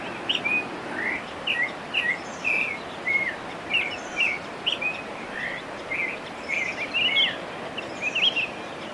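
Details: Northern oriole delivers spaced, piping whistled notes, some rising and some falling, in loose clusters, with soft higher chips behind and a steady background hiss.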